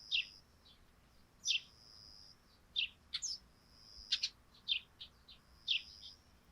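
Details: Chattering sparrows on a dew-covered thatched roof at morning: a lively run of high, clipped chirps, irregular and sometimes doubled, roughly one every second, with a thin continuous high tone behind.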